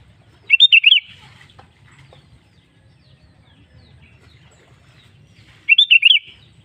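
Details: Sooty-headed bulbul (kutilang) song played as a lure to make other bulbuls sing: two short bubbly phrases of about five quick, fluting up-and-down notes, separated by roughly five seconds of quiet with faint low rumble.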